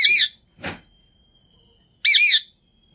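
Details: A green rose-ringed parakeet, talking, gives two short, high, wavering, throaty phrases two seconds apart. There is a soft click between them and a faint steady whine underneath.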